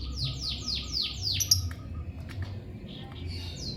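A lovebird gives a quick run of six high, sharply falling chirps in under two seconds, then scattered softer notes over a low room hum.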